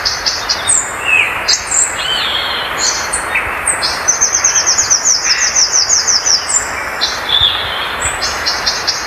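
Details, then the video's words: Violaceous Euphonia song: a lively string of high, thin whistles and buzzy notes in varied short phrases, with a rapid twittering run in the middle, set over a steady background hiss. "Gaturamo verdadeiro, Canto oficial."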